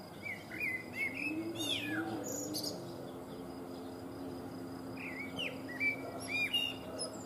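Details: Common blackbird (Turdus merula), song.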